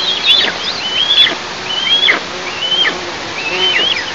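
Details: Eastern imperial eagle nest, recorded by an installed nest camera on a July 2024 morning; five high, slurred whistles, each ending in a quick downward slide, spaced about 0.7 seconds apart.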